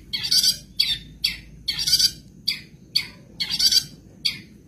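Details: Madura cendet (long-tailed shrike) kept as a caged songbird, giving harsh, grating, noisy bursts spaced about every half second, some longer and doubled, in a mimicry-filled 'isian sekebon' song.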